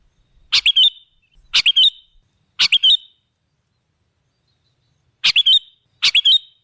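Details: Lure recording of a kutilang, or sooty-headed bulbul: five lively phrases of quick chirping notes, three close together, a pause of two seconds, then two more.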